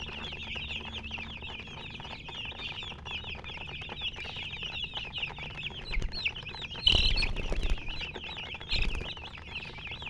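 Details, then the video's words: Baby chickens cheeping nonstop, a crowded flock of shrill, rising and falling peeps, broken near the end by two louder thumps or knocks, over a low background hum. "MURGI Baby "Chicks Chirping" Sound"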